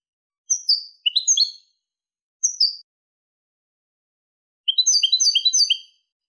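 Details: European goldfinch giving a clean song, 2023: a few quick, sharp twittered phrases of falling high notes, a pause, then a fast, liquid run of repeated tinkling chirps, no other sounds audible.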